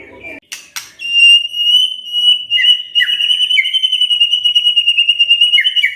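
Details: White-rumped shama stirred into answering song: after a few sharp clicks comes a long, steady, high whistled trill with fast pulsing throughout, plus a few dipping notes near the end.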